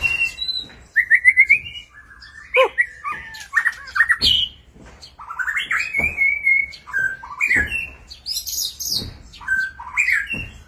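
White-rumped shama in varied, rich song: clear rising whistles, slurred fluty phrases and harsh chattering notes, delivered in quick bursts with brief pauses.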